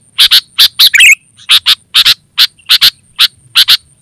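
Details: Vocal sooty-headed bulbul, used to attract wild birds in the forest and to train caged bulbuls, repeats crisp doubled chips at a brisk pace, broken once by a short burbling phrase, with a faint high whine behind.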